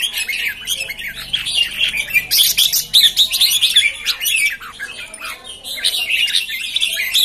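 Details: Red-whiskered bulbuls, newly arrived birds, with fast, busy chatter: rapid overlapping chirps and short warbled notes, tightly packed throughout and rising and falling in bursts, from several birds calling at once.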